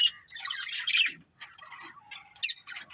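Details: Pet budgerigars from a colourful family group chirp in scratchy, warbling phrases with harsh squawk notes, a short silence, then quieter chatter and a sharp high squeak.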